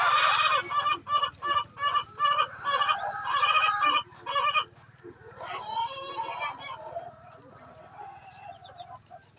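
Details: Hen calling before laying eggs: loud, harsh squawking cackles repeated in quick bursts for about four seconds, then softer, quieter clucking calls trailing off to the end.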